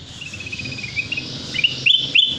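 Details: Sooty-headed bulbul lure song for trapping birds: a run of quick descending chattering notes, then louder bubbly whistled phrases near the end, with a soft low hum behind.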